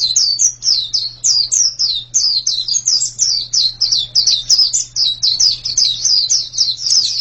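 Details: Sustained high white-eye song, fast repeated slurred chirps in a lively steady stream, faint low hum in the background.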